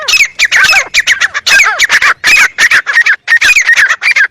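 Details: Harsh, rapid grey francolin calls in loud clustered bursts, notes sweeping up and down, running almost continuously with short gaps.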